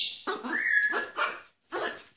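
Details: Pet blue-and-yellow macaw named Jago gives three harsh, raspy bursts in about two seconds, the first bending upward into a rising nasal tone, during trained talking tricks including mimicked coughing; 17 April 2016.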